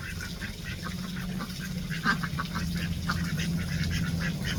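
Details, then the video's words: Ducks at play in a Florida backyard garden give soft, repeated quacks and chatter, several calls a second, over a steady low hum and background noise. "sounds of ducks at play"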